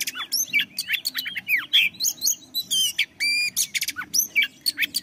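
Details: Varied oriental magpie-robin song used to stimulate other birds to sing: loud downslurred whistles, a quick trill and a steady buzzy rattle near the middle, with many sharp chirps and a soft background hum.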